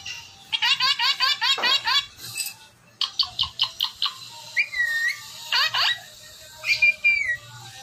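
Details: Talking Indian ringneck parakeet giving a run of rapid repeated whistled notes, then short clipped whistles and a few drawn-out, falling whistles, in a quiet room with a low hum.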